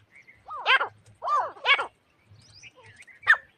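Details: Grey francolin, hunting-lure recording: three loud arched harsh notes in quick succession, then faint chatter and one short sharp note, over a low hum.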